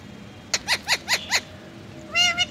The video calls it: Ringneck Parrot Speaking In Hindi